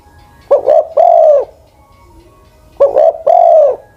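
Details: Ground decoy spotted dove aged ten-plus years sings two phrases, each a stuttered double coo followed by a long, slightly falling coo, separated by a pause of about two seconds.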